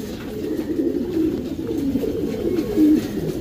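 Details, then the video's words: Steady low murmuring coos of Racing Homer pigeons in the breeding loft, blurred into a continuous throaty rumble with a brief louder note near the end. "Racing Homer breeding section"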